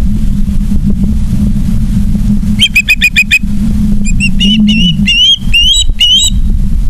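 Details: Osprey calls at a nest in Charlo, Montana, on 3 September 2023 at 18:54, caught by a live nest camera: after low steady rumble, short bursts of sharp, repeated whistled chirps, then rising, slurred squeals, over constant low background hum.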